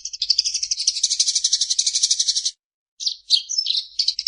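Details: Eurasian tree sparrow singing vigorously: a fast, buzzy stream of chirps for about two and a half seconds, then a brief pause followed by sharper, varied chirps.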